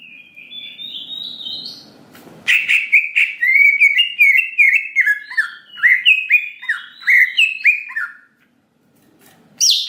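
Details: Greater green leafbird lure song to quickly excite a response: a rising whistled phrase over low noise, then a sharp onset and fast sequence of bouncing slurred whistles, a short silence and a final rising note.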